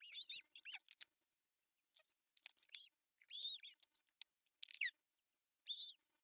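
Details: Osprey at its nest in Pohjois Satakunta, Finland, June 10, 2024, while the male brings a big fish for breakfast; high arched, slightly buzzy whistled calls in uneven series with short pauses.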